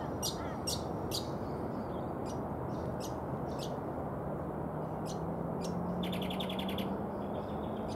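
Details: Brown honeyeater (Lichmera indistincta) giving sharp, high chips spaced about half a second apart, then a quick run of eight clipped notes, over a steady low rumble with a rising engine-like hum.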